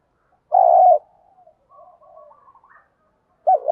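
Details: Decoy spotted dove in the 'thổ bầu' voice style, a 'giọng đồng' call said to incite fights and lure wild doves. A strong, low, level coo opens, faint twittering follows, and another coo begins at the end.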